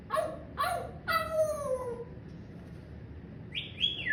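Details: Pet parrot laughing and talking: three loud harmonic cries, each sliding downward, the third drawn out over a second, then two quick high rising squeaks near the end; faint room hum underneath.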